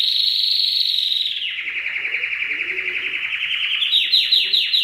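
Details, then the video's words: Canary song from a masteran recording: a high, smooth rolling trill drops into a lower, pulsing run of rapid notes, then rises into crisp, sweeping repeated notes at the end. "Masteran Suara Kenari"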